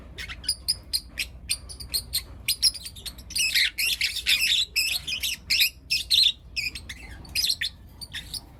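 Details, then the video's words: Four young lutino lovebirds in the morning, giving a run of short, evenly spaced high chirps that build into a dense, continuous squeaky chatter before breaking back into separate notes. "Lutino LoveBird Chirping Sounds"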